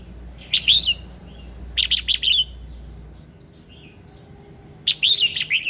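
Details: Morning singing of a red-whiskered bulbul meant to prompt song: lively warbled phrases, one early, a rapid stuttered burst of notes near two seconds, a soft low note, then a final bright looping phrase.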